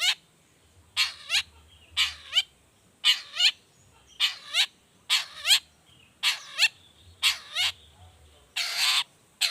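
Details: Lively long-tailed shrike giving the 'toet toet' variation, a lure for getting other shrikes to sing: a steady series of grating, buzzy notes, some paired, roughly twice per second, ending in a louder hoarse burst.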